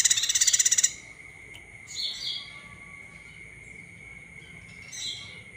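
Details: Olive-backed tailorbird lure call meant to stir other birds to sing: a loud, fast, high trill of sharp notes for nearly a second, followed by two softer, thin twittering calls spaced a few seconds apart, with a constant high hum behind.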